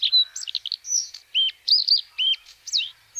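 A white-spotted bluethroat sings a quick, varied string of high chirps, clear whistles and buzzy notes, each phrase changing in pitch, with nothing else heard.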